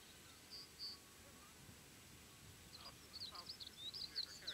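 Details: Common kestrel (Falco tinnunculus), mating call: calling during mating.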